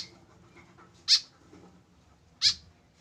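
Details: A tame white-breasted woodswallow, alone without a companion, gives two sharp, harsh, high notes about 1.3 seconds apart, each a short buzzy burst, with quiet room noise between them.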